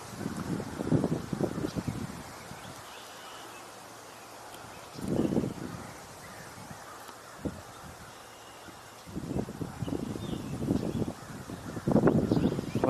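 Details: Crows vocalizing a lot, giving harsh, hoarse caws in short bursts every few seconds, with a man speaking quietly nearby and outdoor background hiss, on 3 July 2024 at a site where trees have been cut down.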